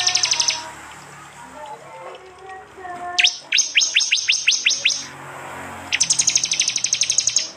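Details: East Javan prinia, recorded on an Android phone for songbird training: a brief rapid trill, quieter chirps, a series of loud descending sweeps roughly every quarter second, then another fast high rattling trill.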